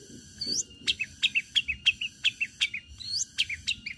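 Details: Long-tailed shrike singing as a lure to draw other shrikes into song: a fast run of about ten clipped, emphatic notes, each a sharp downstroke with a brief twangy tail, opening and closing with rising thin whistles.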